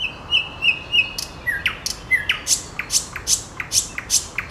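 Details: Nightingale singing at the height of its season: a few short level whistled notes, then a string of sharp, bright chips and clicks repeated about twice a second, each sweeping down quickly.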